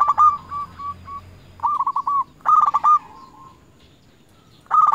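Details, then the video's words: Local zebra dove calling to rivals as a lure bird: a sequence of mellow rolling coos, each phrase opening with rapid stuttered notes, repeated about every one and a half seconds and ending in a drawn-out note. "Perkutut lokal gacor RAJA PIKAT memanggil lawan sekali dengar bikin semua perkutut nyaut"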